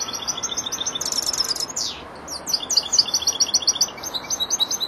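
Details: Four-month-old goldfinch still learning, starting to complete its song: continuous high tinkling twitter with a brief rasping buzz in the middle, then rapid repeated sharp chirps running to the end.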